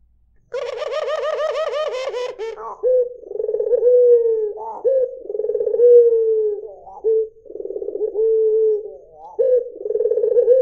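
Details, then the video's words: White Barbary dove (albino 'puter putih'): opens with two seconds of loud, harsh, rapidly pulsed notes, then a string of low, drawn-out, rolling coos with purring middles, separated by brief gaps. "SUARA PUTER PUTIH || JERNIH 3 DETIK LANGSUNG NYAUT || SUARA BURUNG PUTER MERDU"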